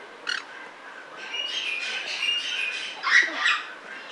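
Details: Captive sulphur-crested cockatoo at the Belgrade zoo, Serbia, recorded in 2021: a harsh, raspy squawk at the start, then a drawn-out grating screech and a final loud broad squawk near the end, against a quiet background.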